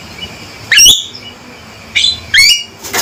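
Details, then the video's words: A male Javan myna gives loud, piercing calls: a harsh rising note, then two more sweeping buzzy calls in quick succession and a final harsh burst, over low steady hum. "Panggilan Suara Burung Jalak Kebo Jantan Gacor & Lantang"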